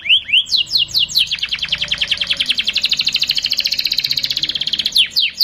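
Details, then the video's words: Canary performing a lure song for young birds to learn: a few sweeping upslurred chirps, then a long even rapid trill of high notes for several seconds, ending with more quick slurred chirps. "Kenari gacor pancingan bunyi"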